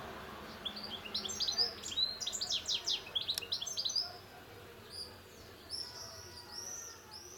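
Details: European goldfinch: a lively burst of rapid, high, jingling twitters lasting several seconds, then a pause and a few separate thin, sweet whistled notes near the end, over light background noise.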